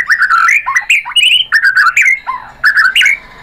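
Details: White-rumped shama song played to lure other shamas into singing: a loud, varied phrase of rich whistled and slurred notes, rising and falling, delivered in quick bursts with brief pauses.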